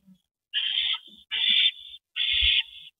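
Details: A rabbit is delivered to a mate at an owl nest, April 19, 2012, 8:15 PM: three even, hoarse, hissing screeches of about half a second each, spaced roughly a second apart.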